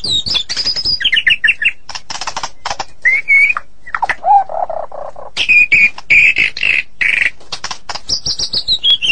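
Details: A white-rumped shama sings in the morning: rich, varied phrases of clear high whistles, quick chattering notes and a brief low, mellow warble, all in close succession.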